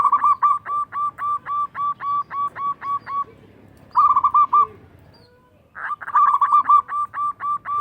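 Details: Zebra Dove, local type with a big, loud voice, singing to stir rival doves into replying: a steady series of clipped coo notes about four per second, then rolled trilling phrases after a brief pause.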